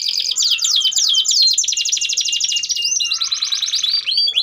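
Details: Canary, gacor long-duration song used for training young canaries to sing: loud continuous rapid trills of repeated high notes, rolling tours changing speed, with a buzzy passage near the end.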